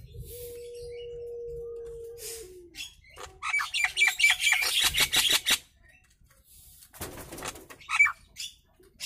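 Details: Nias hill myna, a hill myna used as a lure for other mynas; a long low held tone followed by a busy burst of loud, harsh, rapidly repeated notes and a few scattered squawks.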